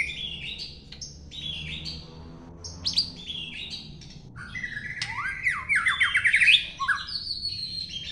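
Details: Long-tailed White-rumped Shama singing a varied run of clear whistled phrases, first short high notes, then a louder stretch of rapid swooping slurs and rising sweeps toward the end, in a quiet setting.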